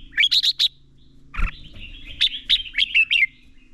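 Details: Red-whiskered bulbul lure bird giving competitive fighting song, used to train and stimulate other bulbuls to sing; a quick burst of four bright, liquid notes, a brief thump, then a longer run of clear whistled chirps.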